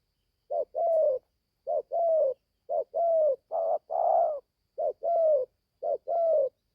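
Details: Spotted dove, a young caged bird in Gia Lai, Vietnam, newly begun calling and taken to the forest for training for the first time. It gives repeated paired coos, a clipped note then a longer mellow one, about once a second.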